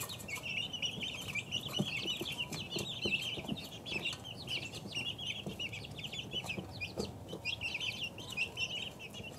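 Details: Constant high peeping from many two-week-old chicks: rapid, overlapping chirps that rise and fall, plus occasional tapping sounds and a low background hum.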